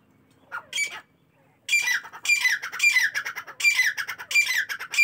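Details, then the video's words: Partridges calling in the morning: after two brief opening notes and a short pause, loud harsh, grating, rasping phrases come in a rapid run of about five close bursts, each buzzy and strained. "تیتروں کی صبح کی خوبصورت بولیاں"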